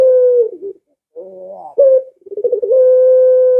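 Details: Barbary dove call meant to entice pet doves into answering: a level hoot fading down, a pause, a soft rising coo with a sharp upward flick, then a rapid rolling trill settling into a long, even held note.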